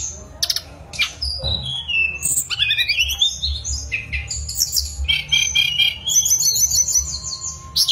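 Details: Mangrove blue flycatcher pouring out a dense, hurried song of twittering notes, rapid trills and harsher squeaky phrases, with a faint low hum behind.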